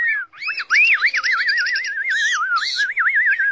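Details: Caged Chinese hwamei pouring out a continuous warbled song of bouncy, looping whistles that rise and fall rapidly several times a second, loud and clear with almost no background.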